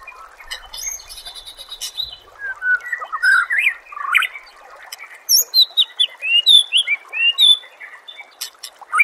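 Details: White-rumped shama song used to train contest birds, beginning with soft buzzy notes and scattered ticks, then building into a rapid series of bright, high, rising and falling whistled notes.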